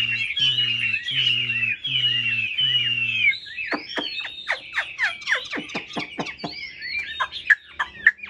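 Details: A caged hwamei holds long descending whistles over a steady pulsing low hum, then switches to a fast series of sharp, clipped downward notes.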